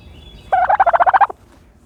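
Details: Turkey gobbling while bathing in dirt: one rapid burst of about nine throaty, rattling pulses lasting under a second, then quiet.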